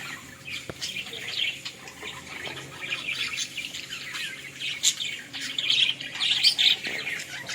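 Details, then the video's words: Australian parrots in a village keep up busy, high-pitched chirping and scratchy warbling from several birds, growing louder and denser toward the end, with occasional clicks in the background. "Australian parrot original sounds"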